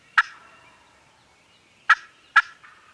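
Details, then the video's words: Three loud gobbles from farm turkeys, one early and two close together near the end, separated by a quiet stretch with faint hum; captured on a compact camera. "Turkeys Are Gobbling"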